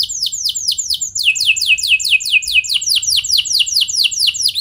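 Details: Song of a canary meant to get other canaries singing: quick downward whistled strokes, then a long series of steeply falling notes delivered about three per second with a buzzy undertone.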